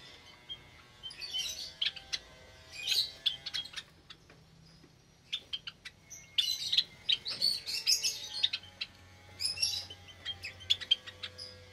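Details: Aviary Java sparrows with many newly hatched chicks, Sunday morning in May 2022: bursts of dense, buzzy, high chattering from several birds, broken by a quieter spell midway, with faint low hum throughout.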